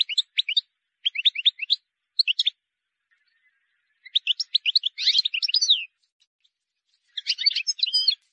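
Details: Wild European goldfinch delivering a clean song for training chicks: clusters of quick liquid twittering notes, a brief pause, then denser tinkling phrases with a short buzzy flourish, quiet background.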